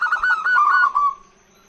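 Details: Female zebra dove calling to draw in males, giving a brief rolling, trilled coo that slides gently downward and fades out.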